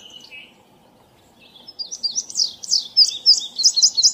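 An indigo bunting sings a run of high, sweet, sharp notes, many given in pairs, growing louder toward the end over a faint background hush.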